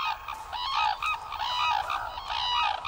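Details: A noisy flock of red-crowned cranes gathering in the morning to feed calls in loud, ringing, overlapping trumpeted bugling bursts; the calls strengthen pair bonds and guide stragglers to the landing area.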